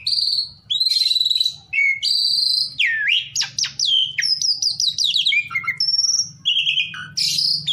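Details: Asian pied starling song played to provoke rival birds into singing. A lively, varied stream of clear whistles, sharp upward and downward sweeps and buzzy, scratchy notes follows with barely a pause, over a low steady hum.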